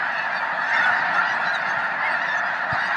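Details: Snow geese crowding Loess Bluffs National Wildlife Refuge on 21 February 2020. An even, roaring blanket of nasal honks from a vast flock, with one low thump near the end.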